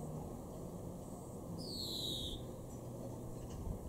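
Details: In a garden at Weener, East Frisia, northwest Germany, May 2021, a European greenfinch gives one harsh, buzzy, downslurred wheeze lasting under a second amid continuous low rumbling noise.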